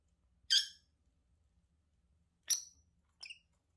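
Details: Pair of lovebirds: one loud, harsh shriek, a pause of about two seconds, then a second shriek and a short, thinner squeak, in a quiet room.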